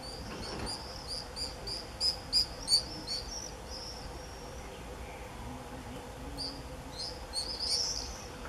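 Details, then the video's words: Common swifts in an early July 2018 screaming frenzy: shrill high screams in bursts, some drawn out, others in quick rapid series around the middle and end, over faint steady background hum. "Gierzwaluw gekte, begin juli 2018"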